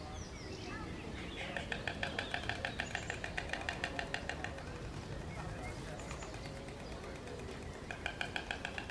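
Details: Storks on a nest clatter their bills, giving a fast, regular run of hard clicks for several seconds, then a shorter burst near the end. Soft chirping and a low rumbling background run throughout.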